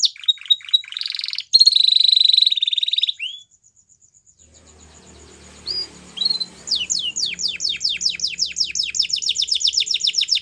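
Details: Belgian canary with white plumage sings quick repeated whistled notes, then a dense buzzy trill. After a short near-silent pause with faint background noise, it returns with a run of rapid, descending chirped notes.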